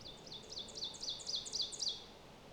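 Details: An ovenbird in boreal forest at Lesser Slave Lake Provincial Park, Alberta, Canada, sings about eight high, emphatic two-note phrases growing louder, a ringing 'teacher-teacher' crescendo over a soft forest hush.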